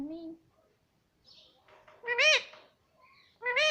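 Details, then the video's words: Pet parrot talking, trained to say "mitthu" and "mummy": a low tone, then after a pause two loud, nasal, rising-and-falling syllables with a final repeat, sounding like mimicked speech in a quiet room. "मिट्ठू मिट्ठू बोलेगा तोता _ मम्मी बोलने वाला तोता मैना _ parrot sound"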